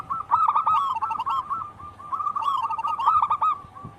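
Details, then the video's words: Wild local zebra dove in full song: two long phrases of rapid, rolling, bubbling coos with a softer pause between them. "Pancingan burung perkutut lokal alam gacor"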